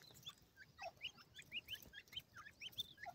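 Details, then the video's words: Partridge chicks fighting over food utter rapid, high, slurred peeps about every quarter second, many birds overlapping, over a faint low hum. "pheasant chicks fight over food,teetar bhora ho gia ha,awaz partridge"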